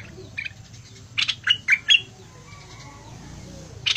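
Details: Bulbul in the fierce singing style: a soft note, then a cluster of four quick whistled notes, a long quiet gap, and a final buzzy burst.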